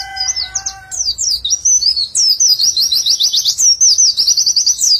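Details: Singing white-eye (pleci), nembak style, 'witwitwit' flowing into ngecer trilling. A brief steady, lower tonal sound opens, then sharp high chirps build into a continuous, rapid, high-pitched trill to the end.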